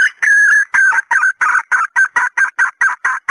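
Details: Red junglefowl hen call used to lure males: one longer opening note then evenly spaced short raspy clucks, roughly two to three per second, with a whistled tone running through.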